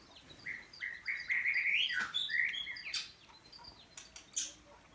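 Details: White-rumped shama singing at an aviary bird farm: a run of clear whistled notes rising to a buzzy trill, then higher sharp whistles and scattered clicks, with faint background noise.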